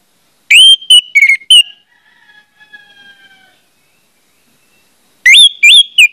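Orange-headed thrush giving loud, clear whistled phrases in quick bursts of varied, sliding notes, two short runs separated by a near-silent gap with faint softer tones.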